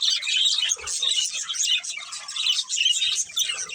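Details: A breeding pair of pet budgerigars chattering: busy, high scratchy warbles and quick tweets overlapping without pause, a faint low thump near the first second.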